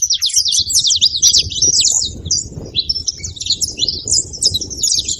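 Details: A group of saffron finches chirping at once: rapid, overlapping high-pitched tweets and short trills forming a continuous bright chatter, with faint low background rumble.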